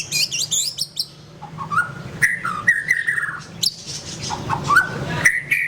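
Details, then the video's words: White-rumped shama singing indoors: varied high sweeping whistles and sharp chirps alternating with mid-pitched warbled phrases, irregular in rhythm, over a steady low background hum. "SUARA BURUNG : Pilih Murai Batu Gacor Berdasarkan KATURANGGAN Dijamin Juara"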